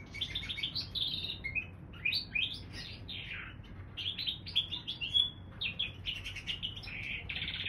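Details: Hybrid canary x bullfinch pouring out a rich, nonstop warble of chirps, buzzes and upward-sliding whistles, including one sustained clear note midway, against low background noise.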